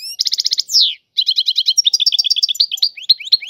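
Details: Algerian European goldfinch singing a dense run of rapid rattled notes, a descending slurred whistle, then a quick stream of bright, bouncing twittered syllables.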